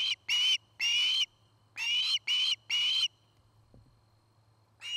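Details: At a nest in Charlo, Montana, an osprey of the nesting pair gives grouped whistled calls: two notes, a pause, three more in a quick cluster, then silence with a soft thud before one more call begins.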